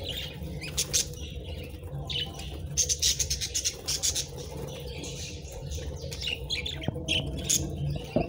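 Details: Pet budgerigars feeding on favourite treats give scattered high chirps, mixed with sharp clicking taps and crackles, over a constant low background hum.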